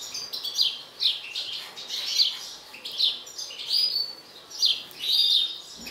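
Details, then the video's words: European goldfinch of a mutant colour form, agitated, gives bright tinkling twitter phrases roughly once a second, each a sharp chirp cluster with buzzy overtones. "شاهد حسون طفرة هائج"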